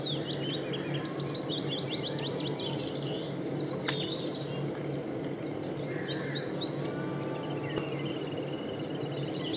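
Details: Common linnet song: high thin twittering phrases with quick repeated chirps and short trills, set against steady loud broadband background noise like wind or traffic.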